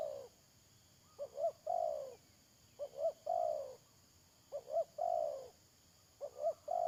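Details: Decoy spotted dove for trapping, 31 May 2022, calling four times: each phrase is a pair of quick soft coos and then a longer downward-sliding croo, spaced about one and a half seconds apart.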